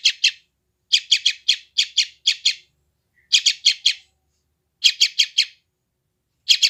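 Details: Yellow-vented bulbul chick in West Java, recorded by Android phone for training wild-caught bulbuls, repeating hoarse, rasping chirps in fast groups of two to eight, with brief silent spells between.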